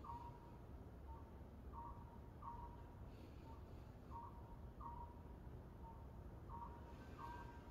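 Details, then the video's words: Oriental scops owl heard in front of a house on the evening of 24 April 2021 gives short, hollow, mid-pitched notes in twos and threes, repeated every second or so, over a steady low traffic rumble. "집앞에서 들리는 소쩍새 소리"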